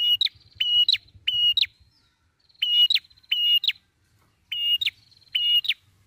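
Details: Red-headed prinia song used as a bird-catching lure, in steady, long-drawn form: short level whistled notes, each ending in a sharp upward flick, given in quick runs of two or three, with pauses between runs and quiet background.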